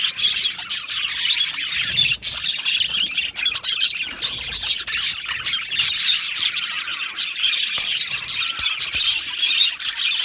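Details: Budgerigars in a colony aviary, many birds chirping at once: a dense, continuous mass of high twittering and scratchy squawks with no pauses.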